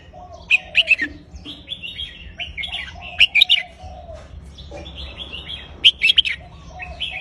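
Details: Red-whiskered bulbul giving a counted-phrase song: three loud bursts of crisp whistled notes, roughly every two and a half seconds, linked by flowing softer warbles, with low background noise.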